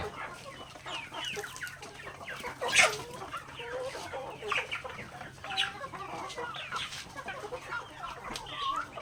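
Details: A flock of native chickens in a backyard pecks grains during feeding, producing many dry clicking taps mixed with scattered soft clucks and short rising notes at a moderate, uneven pace.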